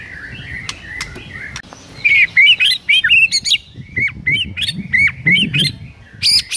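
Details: Morning masteran of a white-rumped shama used to trigger rival birds: soft warbling at first, then loud clipped whistles and squeaky rising notes in quick, uneven sequence over low background noise.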